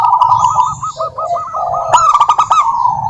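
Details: Zebra dove of the local type in vigorous song: a run of short, evenly spaced bubbling coos, then a lower warble and a loud click-led burst of fast staccato notes. High twittering from other birds runs behind.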